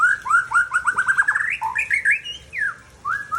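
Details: Mature male white-rumped shama of Aceh stock from Tangse, Indonesia, pouring out a fast, varied string of rising whistled notes that accelerate into a rapid run, then sweeping, looping phrases.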